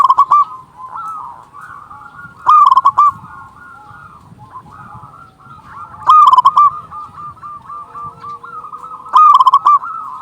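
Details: Local loud-voiced zebra dove calling to lure doves and stir breeding drive. Short, intense bursts of quick staccato coos come about every three to four seconds. Many fainter doves coo continuously in the background.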